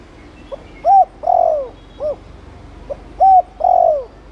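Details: Spotted dove of the Thổ Đồng cooing style, used to stimulate other doves to coo: two phrases, each a faint short note, a clear coo, a long falling croon and a brief closing note, in a quiet background.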